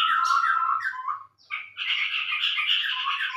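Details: Lure call of the scarlet-rumped babbler: a burst of whistled chatter, a brief gap, then a long dense buzzy chatter continuing to the end.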